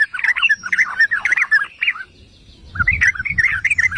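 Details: Yellow-vented bulbul song used to provoke other bulbuls into singing: rapid bubbly, gurgling phrases of short warbled notes, a pause near the middle, then another burst of chattering notes over faint low rumble.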